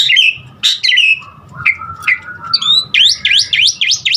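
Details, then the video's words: Asian pied starling singing a varied filler song meant to get other starlings singing: scratchy high notes, then a low level whistle, then a run of quick rising and falling whistled sweeps. "Jalak Suren Aneka Suara Isian Uniknya Bikin Burung Jalak Manapun lkut GACOR Full Isian VARIASI"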